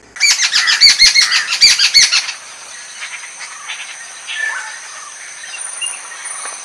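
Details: Jungle babblers (Argya striata), a group in Kerala, break into a loud, discordant chorus of squeaky, rapid chattering for about two seconds, then fainter scattered harsh conversational chatter continues.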